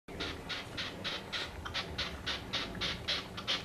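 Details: A red-legged partridge that landed on a house roof one evening calls, repeating harsh, rasping chuffs, about three or four per second in a steady rhythm, over a low background rumble.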